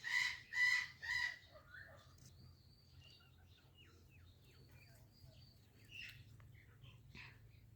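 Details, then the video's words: Ringneck parakeet making various sounds: three loud harsh squawks in quick succession, then soft scattered chirps and chatter over a low hum. "Beautiful Ringneck Parrot Making Different Sounds"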